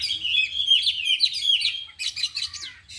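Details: Caged oriental magpie-robins, four in an afternoon training, delivering isian fill; quick sweet whistled warble followed by harsher clipped chattering notes.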